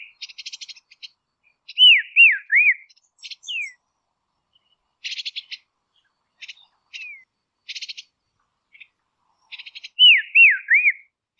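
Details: Dusky robin from Tasmania repeating a phrase of three arched, falling whistles twice, about eight seconds apart, amid bursts of dry, rapid chipping notes and a few short downslurs.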